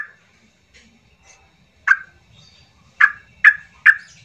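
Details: Yellow-vented bulbul; song; to provoke silent birds to sing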